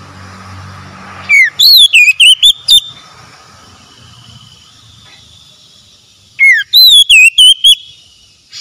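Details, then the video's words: Oriental magpie-robin singing, from a recording meant to restore stressed, mute birds to full song: two bursts, each a slurred downward whistle followed by five sharp looping high whistles, separated by a quiet gap. "TERAPI TERAMPUH PEMULIH KACER SETRES BISU MACET BUNYI LANGSUNG GACOR"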